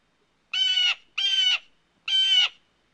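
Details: A blue jay's mating call: three loud, grating, scratchy notes of equal length, each roughly a third of a second, given at a steady, deliberate pace with brief silences between.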